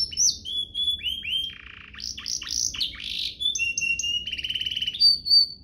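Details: Canary song used as a tutor and stimulus for young canaries: whistled slurs, a low buzz, sweeping clustered notes, steady tones and a fast rattling trill ending in a high whistle.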